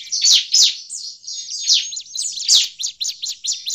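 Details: Bar-winged prinia in agitated voice, used as a lure: bright high chirps with loud sharp bursts at the start and near two and a half seconds, ending in a rapid series of separate notes.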